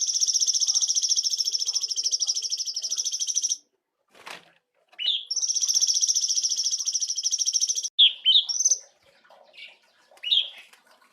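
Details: Cungkok bulbul, kept for training songbirds, delivering a rich, lively song: long, rapid, even trills held high for several seconds, broken by a pause, then resumed and followed by short rising chirps and brief whistled notes.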